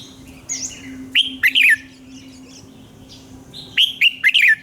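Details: Red-whiskered bulbul morning song for training other singers: two loud phrases of four rapid, slurred whistles about two and a half seconds apart, over a steady low hum.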